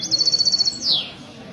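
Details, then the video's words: European goldfinch ('misto') at a café meeting in Ksar el-Kebir, Sunday 16 February 2020; a quick pulsing high trill ending in a descending slurred note, with murmured talk behind. "تغريد الميستو من جمعية لكوس للحسون الدهبي"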